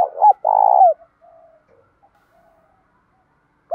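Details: Spotted dove cooing in the loud, clear 'thổ' voice style, fight-urging and calling coos: a short rising note, then a long steady low hoot about half a second, followed by faint trailing coos.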